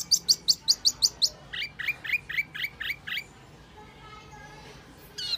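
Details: Wambi lure call, said to be reliable for luring: about seven sharp high notes in quick succession, then a run of lower downslurred whistles, followed by quiet and a final high burst.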